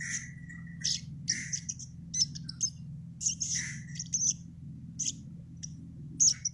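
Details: Sogon bird singing: rapid, very high, thin chirps and trills in short bursts, some with lower whistled notes, over a steady low hum.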